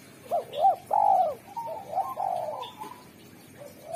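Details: Spotted dove, a strong and clear singer used to lure wild doves, gives two short bouncing coos and a long throaty coo, then a run of softer rolling coos that fade into a final low note.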